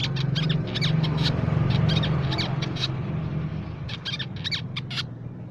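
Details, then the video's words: Crimson sunbird, a nectar-feeding bird of shrubs, plantations and forest, used as a lure for songbirds: rapid bursts of high, thin chips and trills repeated in quick clusters over a loud low hum. "Suara Pikat Burung Sepah Raja & Masteran Sepak Raja"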